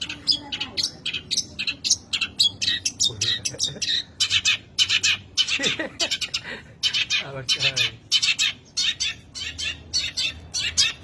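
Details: Long-tailed shrike with a rich, erratic song: a dense, fast run of harsh buzzy notes and scratchy chatter, about a hundred bursts a minute, with brief lower sliding whistles in the middle.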